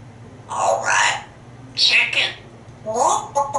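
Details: Pet African grey parrot in Texas, hatched in 1997, chatters about a chicken and imitates its bokking. Three drawn-out, speech-like utterances with wavering, moaning tones are heard in a small room.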